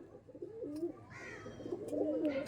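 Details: Domestic pigeons at a home loft selling Teddy Kamagar pigeons, reached by local train from Sealdah towards Barasat; soft wavering coos rise and fall twice in close succession, with faint indoor background rustle.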